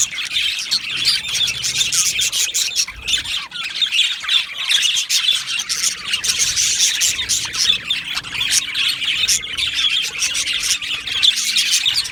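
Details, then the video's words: Australian budgerigars in an aviary colony, recorded 12 July 2025, keep up a dense, continuous chatter of high, scratchy chirps and warbles with no pauses throughout. "Australian Budgie Chirping Sounds"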